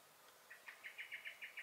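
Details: Common blackbird (Turdus merula) in a garden on 23 May 2021, giving alarm calls: a short run of seven or eight quick, evenly spaced clipped notes at mid-high pitch, getting louder over the first notes, against a quiet background hiss.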